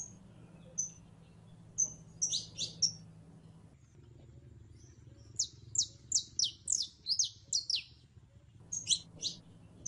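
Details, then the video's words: Female canary in heat calling a male to mate: high chirps and short whistled notes, single and in quick clusters of three to five, with a low background hum. "HEMBRA EN CELO LLAMANDO A MACHO CANARIO PARA APAREARSE"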